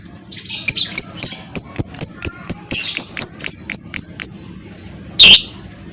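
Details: Lovebird lure recording meant to trigger ngekek singing in other lovebirds: a rapid, accelerating series of thin high clicking ticks over four seconds, followed by one loud harsh squawk.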